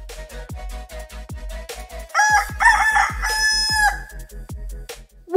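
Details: A rooster on a farm gives one loud, hoarse crow lasting under two seconds, rising then holding before breaking off, over steady thumping background music.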